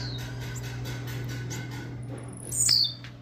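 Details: A captive Blue-black grassquit in Jacarepaguá, Rio de Janeiro, around 3 pm and not yet in its August singing season, gives jump-song calls: one short, very high, sharp note sliding downward near the end, over a low hum and faint chirps.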